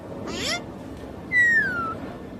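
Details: A talking pet common myna imitating the Bengali word "chhoto", a name it is coaxed to call: a short, rough, voice-like burst, then a long clear whistle sliding downward, over faint room noise.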